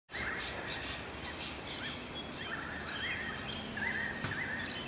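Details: Many currawongs in trees at Cromer, Sydney, chorus as a storm approaches. Their drawn-out, ringing, slightly wavering notes sound over fainter high chirps of other birds and a steady rushing background.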